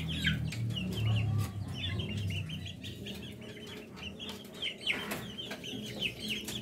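A young chick peeps in quick, high chirps, repeated several times a second over a low background hum.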